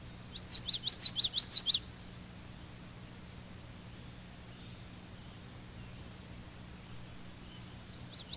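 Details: Common yellowthroat singing its classic song, often rendered witchity, witchity, witchity: a quick series of about seven high, connected rolling notes lasting under two seconds, then quiet with tape hiss and a faint returning note at the end.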